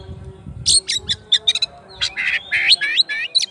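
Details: Oriental magpie-robin calling out to a rival, delivering a lively string of sharp chips, buzzy trills and rising whistled slurs in quick varied succession, over faint low background noise.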